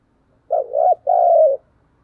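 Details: A single loud spotted dove phrase in the 'thúc gù' dueling style used to challenge rivals: a short coo, a wavering second coo, then a long, level coo that drops at its end.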